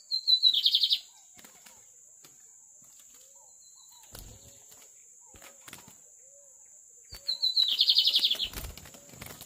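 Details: Lined seedeater singing the magnata song style: two high, fast buzzy phrases of rapidly repeated notes, each lasting about a second and separated by a quiet gap with faint clicks and low knocks.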